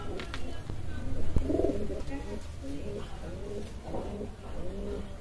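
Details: Kalsara pigeon cooing in low, soft murmuring phrases, partly overlapped by a brief thump and background voices in a small room.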